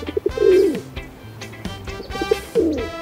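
A pigeon gives two soft, low, throaty coos about two seconds apart, each swelling then falling away, over faint background music.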